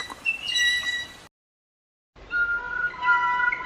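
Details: Blue jay, Cyanocitta cristata, with bell-like whistled tones that break off into a short silence and then return lower and more drawn out, as rich, ringing harmonic notes over faint hiss.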